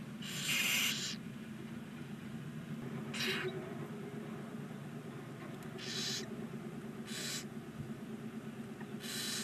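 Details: Live-camera audio of nine barn owl nestlings, day 19, in a chimney nest box, Ságvár, Hungary: a loud opening hiss followed by four shorter, fainter rasping snores spaced irregularly, over a droning background.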